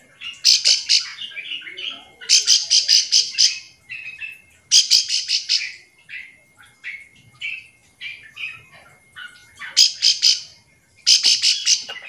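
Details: Bar-winged prinia calling to stir quiet birds into answering back and forth: repeated rapid bursts of harsh, buzzy high notes, each burst several notes long, alternating with softer scattered chips and short whistled notes.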